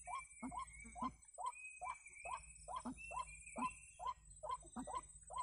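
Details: White-breasted waterhen, known locally as ruak-ruak or wak-wak, calling in a recording used as a lure for trapping; short harsh croaking notes repeated rapidly, about two per second, in a steady pumping rhythm over a low hum.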